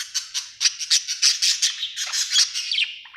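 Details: Happy budgie chattering nonstop with quick, high, rasping chirps and squeaky notes run together in a lively stream, ending in a few falling whistled slurs.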